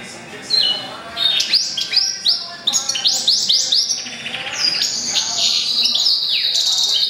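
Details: A goldfinch × canary mule born in April 2011 sings a lively, varied phrase of quick high chirps and rising upward-swept whistled notes in rapid groups, ending in a sustained high trill.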